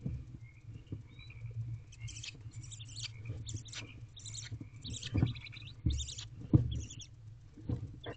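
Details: Barn owl mother feeding her hungry owlets in a nest box at night, 9:53 pm, 15 April 2023: harsh broadband hissing screeches in short bursts, with rustling and soft thumps beneath.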